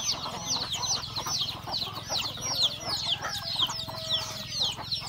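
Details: Rural chickens feeding at breakfast: a busy flock of shrill descending peeps, roughly two per second from individual birds, layered with a brief low steady tone and soft clucks.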